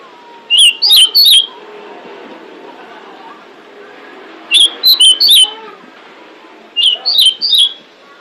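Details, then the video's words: Female pied bushchat luring males with three evenly spaced groups of three sharp, high whistled chirps, each group a few seconds apart over a soft background hum. "Suara Decu Betina Pemikat Jantan"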